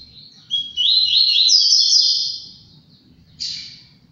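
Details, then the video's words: Double-collared seedeater from a breeder, delivering one sustained phrase of fast, jumbled high whistles and buzzy trills lasting about two seconds, followed by a short separate chirp; faint low hum underneath. "Coleiro Maverick"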